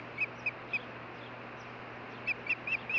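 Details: Nest-camera recording of an osprey pair at their Hellgate Canyon nest in Missoula, Montana, June 14, 2015. Three bright chirps are followed by a pause, then a faster run of four piping whistles, with constant hiss behind.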